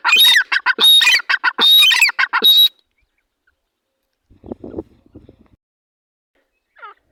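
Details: A partridge pair (teetar) calling: about three seconds of loud, harsh, rapidly repeated notes with clear ringing tones, then a quiet pause, some soft low rustling and one faint brief call.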